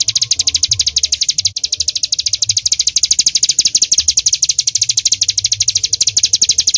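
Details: Rapid, continuous high chipping from a loud bar-winged prinia (ciblek gunung) in full 'tembakan' style, with steady rhythm and even loudness throughout seven seconds.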